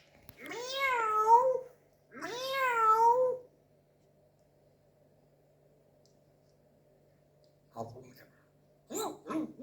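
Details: A pet grey parrot mimics a cat, giving two drawn-out, wavering meows about a second apart, then a long pause before a few short, clipped sounds.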